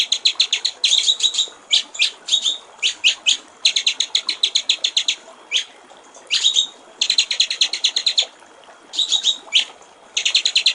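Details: Master recording of white-rumped shama song for training songbirds, clear 'gericik air' (water-trickle) style: groups of quick high trilling notes separated by pauses and occasional thin sliding whistles.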